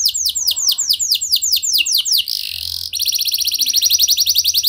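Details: Canary song in a lively, unusual style used to prompt other canaries to sing: rapid series of downward-sweeping whistled notes, a brief buzzy burst, then a fast high trill of evenly repeated notes.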